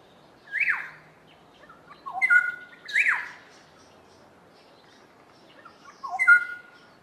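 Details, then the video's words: Duet of two Black-headed Orioles, loud fluty whistles and harsh downward-slurred notes alternating between the pair, four phrases in about seven seconds, quiet background. "Black headed Oriole duet"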